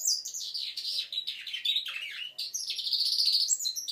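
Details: Five-month-old goldfinch mule singing a dense, unbroken stream of high warbled and twittered notes while learning its song.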